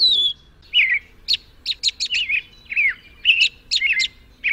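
American robin singing clear, slurred whistled phrases, mostly high and falling or rising, with short high squeaky notes between them, delivered in a steady unhurried run.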